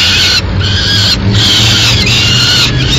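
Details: Peregrine falcon nest in Madrid, 6 May 2016, with the female arriving with a pigeon. Insistent rasping screeches come in three long bursts, and a noticeable low droning hum runs underneath.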